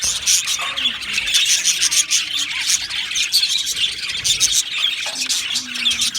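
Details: Many budgies in an aviary colony, 12 July 2025, keep up rapid chirping and warbling chatter, with short sharp tweets standing out above the steady flock noise.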